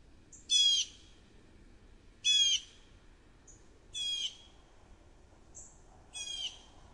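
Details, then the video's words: Blue jay at Stratford giving four loud, rasping, nasal jeer calls spaced under two seconds apart, with short thin high notes slipped in between, against a calm, quiet background. "Blue Jay Jeers"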